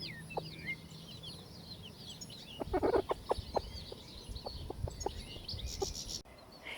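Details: A broody Buff Orpington hen, out in the run on the chicks' first day after hatching, constantly calls to them with low, soft clucks in short irregular runs, with high peeping chicks heard throughout.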